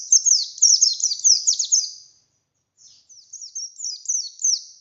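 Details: Wild-caught buxtoni oriental white-eye pours out a fast, crowded twitter of high descending notes. After a pause, a softer second phrase of similar chirps follows.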